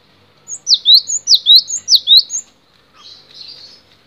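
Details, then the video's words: Cinereous tit, locally gelatik batu, in a long masteran song: four to five crisp repeated phrases of a steep falling note joined to a rising one, followed by a softer buzzy twitter. "MASTERAN GELATIK BATU DURASI PANJANG"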